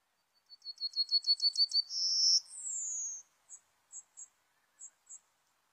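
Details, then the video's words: Serin lure song for bird trapping: a fast string of ringing chirps, a held high whistle and a falling whistled note, followed by four short, sharp high ticks spaced about half a second apart. "PIKAT SERINUS SUARA PANCINGAN"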